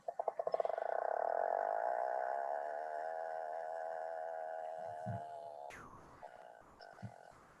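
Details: An Atlantic puffin from Scotland or Ireland played from a phone gives a low, buzzy, drawn-out growl that starts in rapid pulses and holds steady for several seconds, like a chainsaw. A few clicks and handling noises follow.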